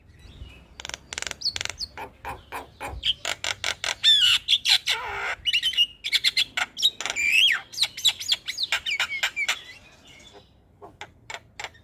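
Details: Energetic morning song of a Javan myna, used to tutor and provoke other birds: long chatter of dry clicks and harsh squawks with twisting whistled notes in the middle, slowing to spaced clicks at the end.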